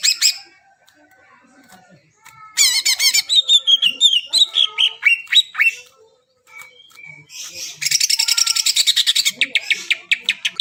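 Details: Greater green leafbird singing to encourage silent birds: scattered thin notes, then a burst of trilled and falling whistles, a lull, and a dense rapid chattering series at the end.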